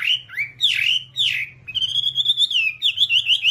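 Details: Whambie singing, taken from a long tutor recording for training kept birds: sweeping whistled slurs rising and falling, followed by a fast trill of high, clear notes and quick wavering whistles.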